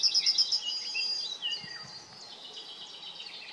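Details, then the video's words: Yellowhammer singing: a quick series of about five high, clipped repeated notes running into a drawn-out thin note, followed by softer chirps and twitters from other birds over a faint background hiss. "Śpiewający Trznadel 🔅 Singing Yellowhammer"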